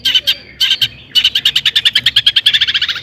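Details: Long-tailed shrike song used to provoke other shrikes into singing: harsh repeated notes around mid-high pitch, first in short bursts, then a fast regular series of clipped toet toet notes.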